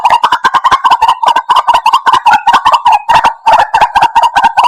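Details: Continuous fast kwak-kwak of a white-breasted waterhen, played as a trapping lure; gravelly notes at an uneven rhythm, about two and a half per second, with occasional higher squeaks.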